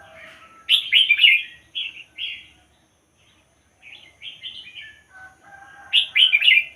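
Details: Red-whiskered bulbul, caged, of the Thai pied-head strain: warbled phrases, a pause of near silence, then quieter chirping that builds into a loud bubbling finish.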